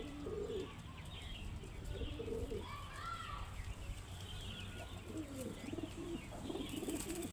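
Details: Pigeons cooing: low, throaty rolling coos repeated in short bursts through the recording, with higher chirps from other small birds and a steady outdoor background hum.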